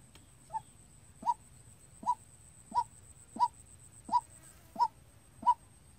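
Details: White-breasted waterhen, a decoy bird in training calling on its own, used as a trapping lure: short, hollow, slightly rising notes repeated evenly about every 0.7 seconds, eight calls, over a low background hum.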